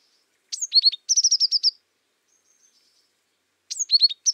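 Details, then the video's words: Azure tit song, a clear high downward whistle followed by quick falling notes and a fast trill of about seven notes, with a faint thin note in the pause before the phrase starts again. "Как поёт белая синица лазоревка? Белая лазоревка, князёк (Cyanistes cyanus)"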